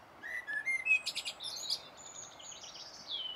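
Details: Common blackbird warbling beautifully on 1 June 2016, filmed with a Sony HDR-PJ10E camcorder; a few mellow fluted notes give way to a rapid high twitter and a thin drawn-out squeaky ending.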